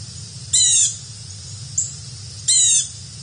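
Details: Carolina wren, one of two that visited, giving two grating, buzzy calls about two seconds apart, with a brief thin high note between them; soft low rumble underneath.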